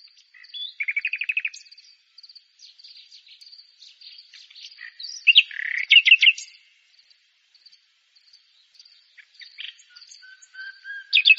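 Common nightingale singing varied phrases: a fast, loud run of repeated notes, chattering trills and a low pure whistle, over a thin steady high insect buzz.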